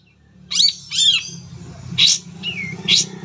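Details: Long-tailed shrike song full of mimicked phrases, used as a lure to get other shrikes singing: sharp whistled chirps, a falling slurred whistle and bright high notes in short bursts over a steady low hum.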